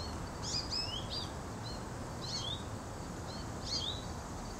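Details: American goldfinch (Carduelis tristis), early afternoon on 28 August 2011, gives high, thin twittering calls, short slurred notes in three quick bursts about a second and a half apart, over steady low background rumble.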